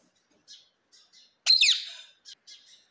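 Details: Trained pet rose-ringed parakeet: one loud, harsh, downward-sweeping screech among quieter high chirps.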